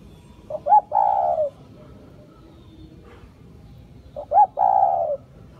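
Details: Spotted dove cooing: two phrases about four seconds apart, each a short soft double note followed by a longer, slightly descending coo, against quiet low background hiss.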